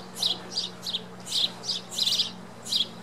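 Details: Sparrow nestlings begging while their mother feeds them through a knothole in a wooden building, Coupeville, Whidbey Island, Washington, May 2013: high, thin, rapid chirps in quick bursts about every third of a second, with a steady low hum.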